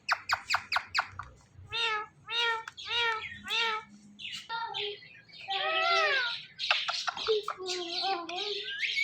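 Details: Talking pet ringneck parrot watching its own videos: rapid clipped notes, then rhythmic harmonic speech-like syllables repeated several times, ending in a jumble of squawks and chatter.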